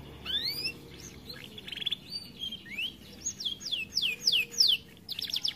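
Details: Aviary canary said to be lazy to sing due to being overweight, giving rising whistles, a short buzzy trill, then a series of loud descending slurred notes.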